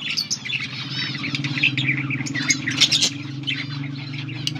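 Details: A breeding pair of budgerigars with mating calls, August 16, 2024: chattering chirps and warbles over a steady low mechanical hum that runs throughout.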